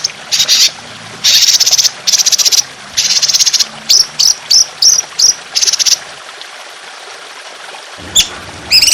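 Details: Trotolan training recording of fierce, harsh 'shot' song against trickling water. Buzzy, rasping bursts alternate with short series of high chirps, followed by a near-quiet stretch with only the water hiss.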